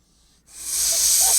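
A goose gives a harsh, breathy hiss that starts abruptly after a brief silence and swells to a steady rasp for about a second.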